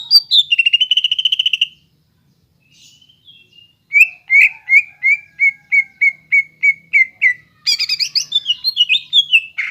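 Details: Greater green leafbird song meant to set young birds singing: a rapid trill, a pause, a measured series of short whistles about three per second, then mixed buzzy and warbled notes.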